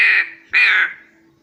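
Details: Black crow kept as a pet; two loud harsh caws, the second slightly longer, with a low steady hum behind.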